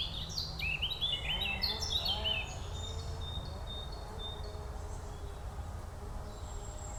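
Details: Forest birdsong with a burst of rapid, varied high chirps and twittering trills in the first two seconds, fading to sparse faint notes and a thin high whistle over constant low background rumble.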